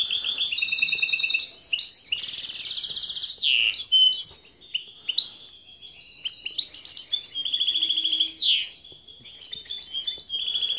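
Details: A European goldfinch hybrid's lively song of sharp twitters, harsh buzzy bursts and slurred whistles, broken by short gaps before resuming in rapid chirping phrases.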